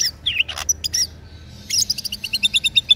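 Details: Caged local East Java green leafbird from Sidoarjo, singing constantly day and night: a few scattered sharp chirps and whistled slurs, then a quick run of about ten bright, evenly spaced high notes with a buzzy edge.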